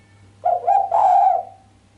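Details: A female island collared dove's sharp coo lacking the 'kuk' note, which excites the male: two quick rising notes then one long even tone, with a low steady hum.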